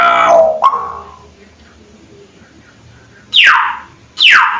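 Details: Hill myna: a harsh nasal call dropping into a whistle, a quiet gap, then two loud whistles that swoop sharply downward about a second apart.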